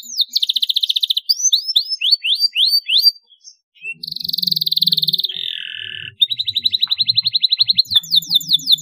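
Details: Canary song used as a lure recording to make other canaries sing: rapid high trills and repeated rising, hooked notes in fast runs, broken by a short pause, then buzzy rolls and quick sweeping phrases with a faint low hum underneath.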